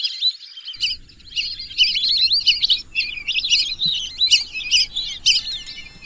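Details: Shrill, wavering whistles from a group of lesser whistling ducks run almost unbroken, with quick up-and-down slurred notes. A low background hum begins just under a second in.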